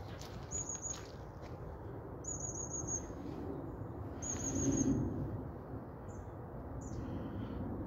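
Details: Long-tailed tits moving overhead on a still, dry December 2021 day at about plus three degrees give thin, very high, drawn-out 'seee' calls, five in about eight seconds, over low wind rumble and a brief voice.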